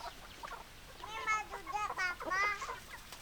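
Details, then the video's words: Chickens, hens and roosters on a farm: a quiet start, then a burst of several harsh, nasal squawks and clucks that rise and fall, grouped closely around the middle, with low background noise. "Chicken Sounds Noises Hens Clucking Roosters Crowing"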